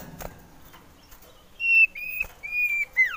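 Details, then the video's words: Male common iora, wanting to mate and used as a lure, gives a run of four clear, level whistled notes in quick succession after a quiet start with faint background clicks. "Merdunya suara cipoh sirtu ini cocok buat pancingan"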